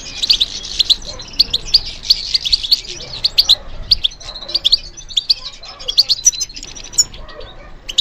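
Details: A European goldfinch responds to stimulation with a continuous, lively twittering of high, ringing chirps and trills, full at the start and becoming slightly softer and more scattered toward the end.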